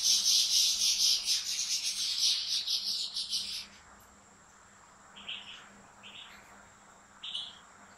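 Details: European goldfinch in a breeder's large aviary: a dense, rapid, buzzy twittering trill for about four seconds, then a few separate short chirps, over a faint constant hum.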